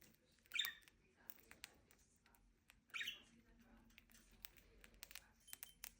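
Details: Happy budgerigars give short scratchy chirps amid soft clicks and taps while eating food.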